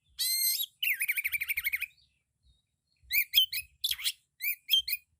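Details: Loud, richly varied White-rumped shama song: a harsh high rasp, then a rapid trill of rising-falling whistled notes, a pause, and bursts of sharp chevron-shaped chips and a downward-sweeping buzzy note.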